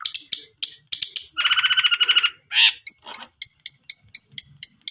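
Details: Long-tailed shrike song serving as a lure for a reluctant singer. Chirps open it, then a rasping trill with lower harmonic tones and a burst of noisy notes, ending in evenly repeated high, clear whistled notes.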